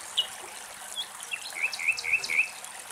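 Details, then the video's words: Common nightingale song in Greek countryside: a few high, thin whistles, then four quick rising notes repeated about four times a second, over a steady background hiss like trickling water. "Αηδόνια Κελάηδημα"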